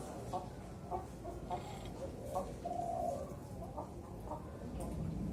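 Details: Caged young zebra dove aged four to five months, hoisted high for early song training to build voice stability; one clear, bubbling coo mid-clip amid short clucking notes and background noise.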